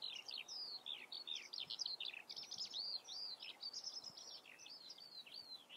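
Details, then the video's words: Common redstart singing a continuous, fast twittering run of high, sweeping chirps and short slurred whistles, barely pausing across the whole stretch, with faint background hiss. "Gartenrotschwanz vor der Kamera. Common Redstart observation"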